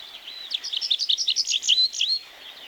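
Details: Tree Pipit from the forest birds of Wielkopolska National Park: a brief, quick phrase of varied high chirps and squeaky notes lasting about two seconds, over a quiet background.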